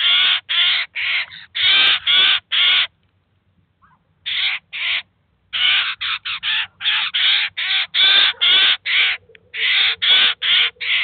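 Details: Eurasian jay with its young at a cheese feeder in 2019: bursts of rough, rasping screeches repeated about twice a second, a quiet gap of over a second, then a long unbroken run of grating calls.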